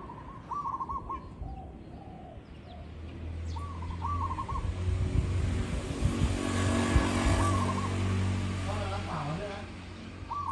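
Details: Zebra dove recorded live, repeating brief trilled coo phrases, followed by a vehicle that rises and passes, drowning out part of the singing before the bird resumes.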